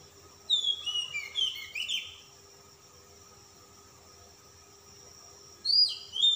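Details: Oriental magpie-robin (kacer) of a calm type, singing persistently while displaying, with a rich fill of varied phrases: bright, high whistled notes slurring up and down, a burst of about two seconds, silence, then a fresh phrase begins.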